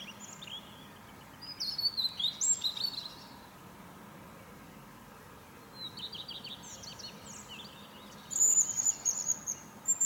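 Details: A European robin singing in the morning from a fir tree: three short, high, liquid phrases of trills and thin whistles, each separated by a pause of a couple of seconds, over a faint steady hum.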